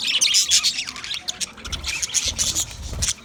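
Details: Green budgerigar: a quick run of high, scratchy chirps and squawks with short warbled notes, dense and irregular throughout, with low rumbling in the background.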